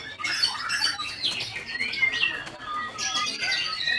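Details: Song of the white-rumped shama: short bursts of high warbling and sliding whistles separated by brief gaps, some notes rising steeply, others dropping.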